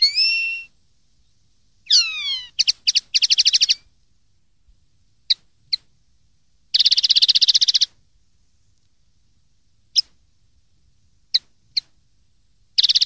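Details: Common linnet song from a 2013 tutor recording meant for young linnets to copy: falling and rising whistled slurs, a fast buzzy trill near second seven, and scattered sharp single notes between pauses.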